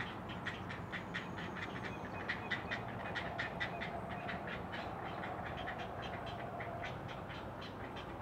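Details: Great blue herons at a treetop nest in a Maryland Eastern Shore rookery, early morning of 20 June 2018: quick, irregular ticking notes repeating a couple of times per second, some louder clicks standing out, over low steady noise.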